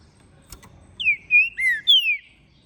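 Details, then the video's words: Green-winged saltator, trem bala line from Minas Gerais, captive-bred and ringed, singing after moult: one clear phrase of four loud, smooth whistled notes, each sliding downward, delivered within about a second over quiet low hum. "Esse TRINCA FERRO é o MELHOR para ABRIR o CANTO! pois Canta e MACHEIA MUITO!"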